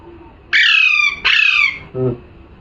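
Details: Two loud, raspy parrot squawks follow one another closely, each a harsh grating shriek that slurs slightly downward, followed by a short, soft, low-pitched sound.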